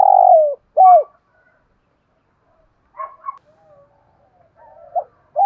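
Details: Spotted dove decoy calling to lure other doves: a long falling coo and a hooked coo at the start, faint higher notes in a quiet middle, and another coo at the close.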